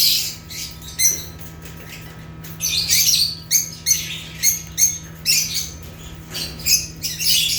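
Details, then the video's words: Lovebirds (Agapornis) from Africa chattering in short, shrill, high chirps, with sharp squawks repeated roughly twice a second in the second half and a constant low electrical hum behind. "Rare African Lovebirds (Agapornis) | Natural Chirping Sounds"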